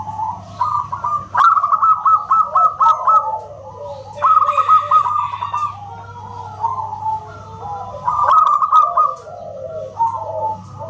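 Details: Local zebra dove singing loudly, its voice likened to a whistle: quick series of hooked, ringing cooing notes, about four per second, repeated in bursts, with a second lower dove-like voice overlapping and a steady low electrical hum.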